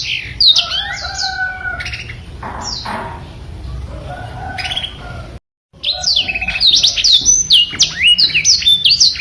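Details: Black-throated canary (Crithagra atrogularis), song.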